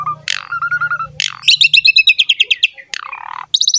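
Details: Asian pied starling in 'gacor mompa' lure song: a loud downslurred squawk and steady whistle, a fast run of high chattering notes, another falling squawk, then a sharp high phrase.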